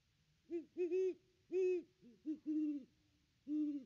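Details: Nest-cam recording of a Great Horned Owl pair visiting the nest tree on 25 December 2021: seven deep hoots in a broken rhythm, short clipped notes mixed with longer held ones.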